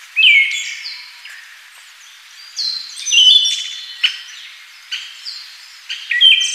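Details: Siberian thrush, Zoothera sibirica: slow series of clear whistled phrases, each note sliding downward and ringing on, roughly every two to three seconds, with faint overlapping chirps from other birds between phrases.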